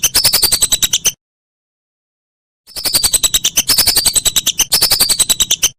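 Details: Whistling duck recorded as a master for training competition songbirds: a one-second burst of quick, squeaky whistled notes, a silent gap, then three linked bursts, each carrying a high tone that slides downward. Nothing else is audible.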